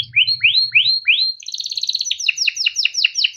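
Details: Short burst of a male canary's tutoring song, kept caged in Indonesia: four rising whistled slurs, a fast buzzy roll, then repeated falling notes; brief low hum at the start.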